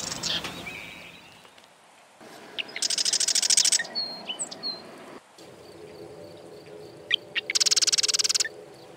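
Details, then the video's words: Marsh wren song: a few sharp introductory ticks lead into a fast mechanical rattle lasting about a second. A short whistled note follows, then a second rattle, with quiet background noise. "Marsh Wren - Song & Call"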